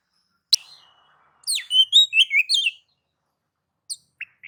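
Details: Oriental magpie-robin (kacer) in nagan and ngobra song mode to provoke other magpie-robins: a single sharp note, a pause, then a quick string of twittering and sliding whistles for about a second, followed by scattered short chirps.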